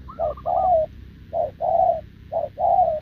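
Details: Spotted dove, wild-caught and short-legged, cooing at a decoy bird on 6 November 2024; three mellow two-note coos about a second apart, the first overlapped by a higher rapid stuttering coo.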